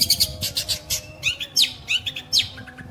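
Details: Long-tailed shrike (pentet) alternating rough bursts with swooping, sliding whistles and squeaky notes in an irregular, mimic-like phrase.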